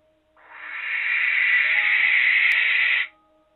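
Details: A young male Barn Owl at a barn owl tower nest box at night gives one long, harsh, hissing screech of nearly three seconds. It is courting, calling for a female to join him at a new nest site.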